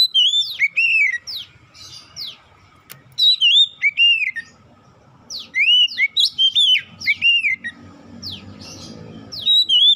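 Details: Oriental magpie-robin song used as a lure to get other magpie-robins singing: loud whistled phrases with rising and falling slurs and sharp downward sweeps, in bursts separated by short pauses, over faint low rumble.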